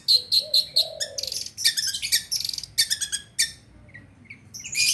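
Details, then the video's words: Long-tailed shrike audio to prompt a silent bird into song. Fast, varied phrases mix high chirps, a lower whistled note, and dense rattling bursts before trailing off into soft calls. "Suara PENTET buat mancing burung penten macet"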